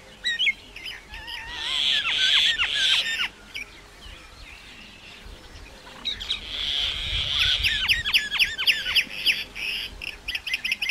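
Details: Common myna song with harsh buzzy rasps mixed with sharp falling chirps, a pause, then a longer rasping section full of rapid clicks and chirps continuing to the end.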